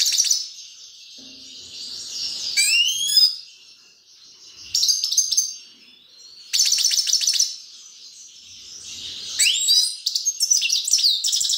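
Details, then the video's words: Grey-crowned goldfinch in full song: bursts of bright, jingling trills and swooping slurred notes, several loud phrases separated by brief softer pauses, all high and quick. "Седоголовый щегол красивый голос"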